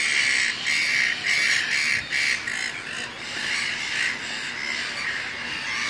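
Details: Black-billed gull at a dry, raised part of a breeding colony on 7/12/19, where a parent feeds its chick among red-billed gulls; harsh, high squawking calls repeat about twice a second in steady bursts.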